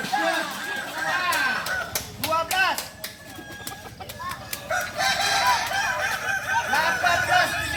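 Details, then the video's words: Kukuak Balenggek roosters, a singing chicken breed native to Solok, during crowing performance training: many overlapping harmonic crows with wavering, arched notes rise and fall throughout, mixed with sharp clicks, rustling and background chatter. "Latihan prestasi Ayam kukuak balenggek ayam penyanyi asli Solok"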